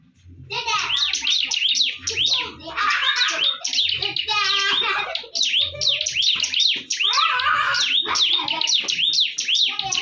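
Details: Bar-winged prinia locked in a fierce fight, pouring out dense, rapid high chirping and trilled phrases almost nonstop, with a few short breaks and soft low rumbling and voices in the background.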